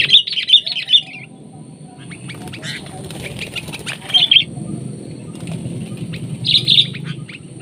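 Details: A wild sooty-headed bulbul answers a decoy bulbul outdoors with short clusters of sharp, bubbly chirps spaced a few seconds apart, plus scattered faint notes and a steady low hum.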